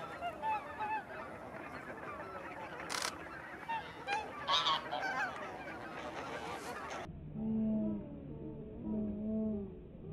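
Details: Flock of taiga bean geese at Kabukuri-numa marsh, Japan, 14 December 2019. Dense overlapping honks and cackles run for about seven seconds, then the sound shifts to quieter, low drawn-out tones with a few faint honks.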